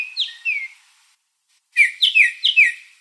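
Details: A Baltimore oriole visiting a backyard where grape jelly is put out sings clear, flute-like whistles in two short phrases, the second a quick run of five slurred notes after a brief pause.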